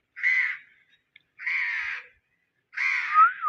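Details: Indian ringneck parakeet, a pet parrot, uttering three harsh raspy squawks about a second apart; the last ends in a short falling whistled tail.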